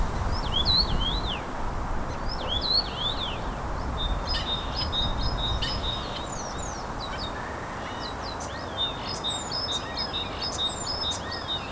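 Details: Common starlings, a trio, singing together: repeated zigzag whistles, clicks and rattling chatter mixed with sharp high notes, against a steady low rumble of background noise.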